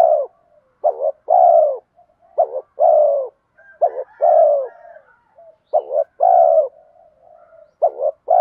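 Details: Spotted dove calling to draw wild doves, bronze-voice style with urging coos: about four low phrases in a row, each a quick broken double note then a sustained hollow coo, with soft murmurs between.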